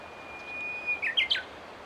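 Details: Japanese bush warbler calling as it flies away: a long steady whistle, then a quick flourish of three short, sharply falling notes over quiet rural background noise.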